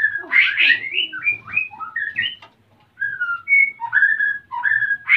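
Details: A breeding male white-rumped shama, captive in Salaman, Magelang, Central Java, sings to court a nest-building female. Loud rich opening notes give way to a series of short, clear, rising and falling whistles with a faint low hum.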